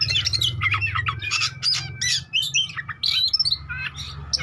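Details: Oriental magpie-robin song used to provoke rival birds into singing and responding: fast, varied, scratchy whistles and sharp squawky notes tumbling together, over a steady low hum.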